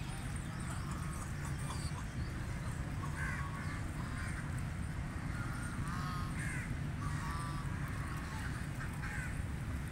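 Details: Call duck feeding in water, giving short nasal quacks in spaced bursts, about five across the stretch, over a steady low rumble of background noise.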